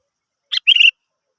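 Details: Sooty-headed bulbul, a lure recording meant to set other birds singing: a single short burst, one clipped note followed by a quick bubbly run of bright notes, then silence.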